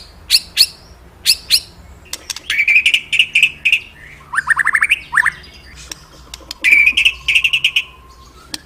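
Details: Magpie-robin song meant to prompt pet magpie-robins: paired sharp high notes, warbled phrases, rising slurred whistles and chattering bursts separated by short pauses.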